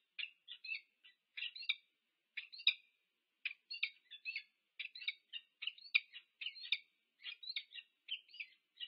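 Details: Peregrine falcons, a wild pair, meet at the UC Berkeley nest in the USA on 2 November 2022, recorded by nest camera. Rapid chopped, scratchy chip notes come in uneven bursts and grow louder toward the end.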